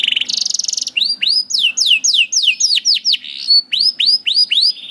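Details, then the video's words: Canary song used to get young canaries singing: a buzzy trill, then loud upward-curving whistled notes repeated several times a second, with faint chips above. "MASTERAN KENARI AMPUH UNTUK KENARI PAUD DAN SUSAH BUNYI"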